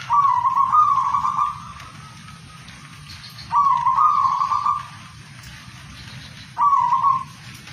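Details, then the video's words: Zebra dove cooing: three rolling, bubbly phrases of mid-pitched coos, each about one to one and a half seconds, spaced roughly three seconds apart over a constant background hiss. "perkutut gacor buat lawan emosi"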